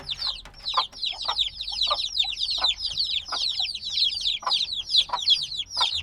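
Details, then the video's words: Noisy brood of black chicks a few days old; loud, piercing peeps slide downward in quick succession, many birds calling over one another, with occasional duller low knocks beneath, binaural field recording. "Baby Chicks Sounds - Baby Chicken Chirping Noises"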